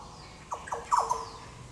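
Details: Yellow oriole (Oriolus flavocinctus) at Goomboora Park in Cairns, Queensland, Australia, recorded 9 September 2022: a quick series of four or five bubbling, downslurred liquid notes over soft background hiss.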